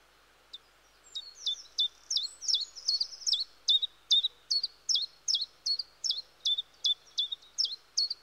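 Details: Common chiffchaff singing: after a half-second pause, a brisk series of sharp, high two-part notes starts, each a hooked downward slide, about two and a half per second, steady and insistent to the end.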